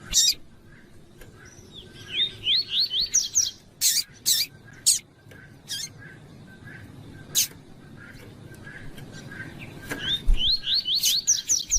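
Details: Double-collared seedeater of the tuí-tuí style, a female calling to stir the male: two bursts of rapid high whistled slurred notes, at the start and near the end, separated by sharp clicking snaps and quieter gaps.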